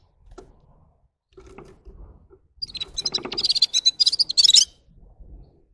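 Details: Near-silence with soft low knocks, then a red-fronted serin (gulsir) sings a quick two-second run of high, sizzling, twittered notes that grows louder before stopping abruptly.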